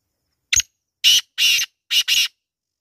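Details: Black francolin, possibly a female, gives its loud, harsh, grating call: a short click, then four rasping notes in quick succession over about two seconds, with nothing else heard.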